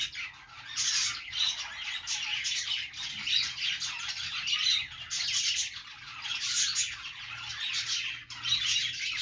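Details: Several pet budgies in a morning routine giving happy sounds: overlapping scratchy squawks and rapid chirping, busy and unbroken, with louder bursts every second or two over a steady high warbling background.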